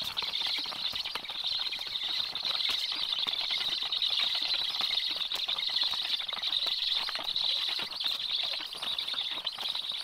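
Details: At a Black stork nest on 26 July, the male brings fish to the chicks shortly after the female arrives. A steady, wheezy hiss runs unbroken for ten seconds, grainy and crackly, with no pauses.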